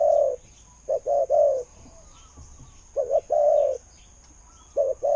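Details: Low mellow cooing from a decoy spotted dove with a good voice: stuttered lead-in notes then long soft coos, repeated three times, faint bird chirps behind.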